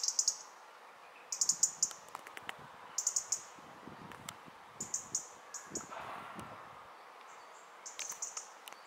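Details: A European robin, recorded at home in Ljubljana on 20 October 2023, gives short, sharp, high ticking calls in clusters of three or four, repeated every one to two seconds over a low background hum.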